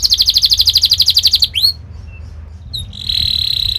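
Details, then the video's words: Canary singing a fast, sharp training song meant to prompt young canaries to learn and roll: a rapid high buzzy trill for about a second and a half, a quick rising sweep, a short pause, then a steady high whistled note. "Kenari gacor Speed Tajam cuit cuit NgeroL | pancingan kenari ini Sukses bikin kenari Ngerol EMOSI"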